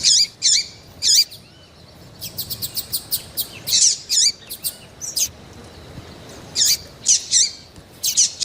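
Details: A female double-collared seedeater, described as excited, calls to rouse males. She gives clear, high-pitched chirps, some single and some in rapid stuttering series of five or six, with quiet gaps between them.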